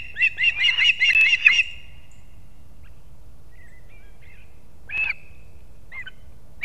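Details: Early on 3 September 2024 at a Kurzeme osprey nest in Latvia, the male delivers two fish to the chicks. A quick burst of high chirps lasts under two seconds, followed by quiet with a few isolated faint whistles.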